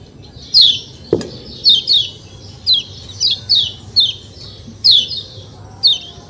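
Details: Kecial kuning white-eye giving spaced, high, downward-slurred chirps, often in pairs, with a single soft knock near the start and a low steady hum beneath.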